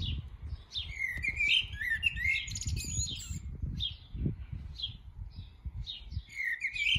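A common blackbird sings rich, fluting warbled phrases that slur up and down, with twittering flourishes between them. A low rumble of wind or traffic runs underneath.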